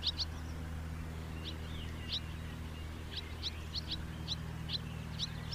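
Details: House martin calls: short, sharp, high chirps given singly or in quick pairs at uneven intervals, over a steady low hum.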